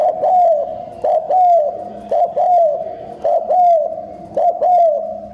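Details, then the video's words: Decoy spotted dove in fast cooing, played to provoke wild doves into answering. It gives five evenly spaced coo phrases about a second apart, each a short attack followed by a smooth falling coo. "Tiếng chim cu gáy kích bổi hiệu quả cao | Bổi Nghe là gáy, thúc gù tốc độ"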